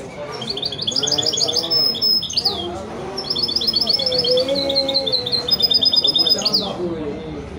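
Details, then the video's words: Goldfinch-canary hybrid, from a male goldfinch crossed with a female canary, pouring out two long bursts of quick repeated metallic notes and trills, each closing with a sharp slurred note, while men talk softly in the background. "هجين ويداني روعة ماشاء الله اسمع استمتع"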